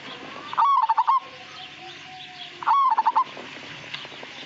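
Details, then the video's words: Zebra dove, Majapahit type, producing two rapid rolling coo phrases roughly two seconds apart, each a quick series of pulses, while a faint murmur and hum fill the background. "Suara Panggilan Burung Perkutut Majapahit Asli Gacor Dan Ngayer"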